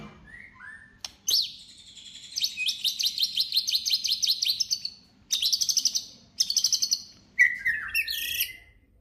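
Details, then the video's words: Energetic White-rumped shama song, played to stir other shamas into singing: brief clear whistles, then long runs of fast rattling repeated notes in several bursts, ending in sweeping, tumbling whistled phrases; faint low background hum. "murai batu gacor AMPUH UNTUK pancingan murai batu agar bunyi langsung bikin emosi"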